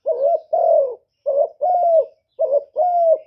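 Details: Three rhythmic coo pairs from a spotted dove, each a clipped, slightly wavering note and then a longer, smooth coo that tails off gently, loud and clear in silence.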